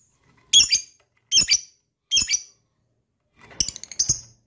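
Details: Lovebird sound meant to trigger other lovebirds into long trilling: three short, sharp, high chirps about 0.8 seconds apart, then a rapid burst of clicking, twittering notes.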